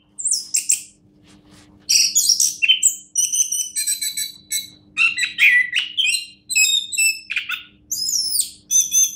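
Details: Champion orange-headed thrush singing bursts of bright chirps and buzzy trills, each phrase about a second long, separated by brief pauses, with many very high notes.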